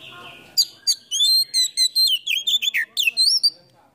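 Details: Oriental magpie-robin, called kacer, singing a lure song full of fill-in phrases while fanning its tail and posing like a cobra; a quick burst of sweet, slurred whistles, some dropping sharply, others rising, in brisk succession.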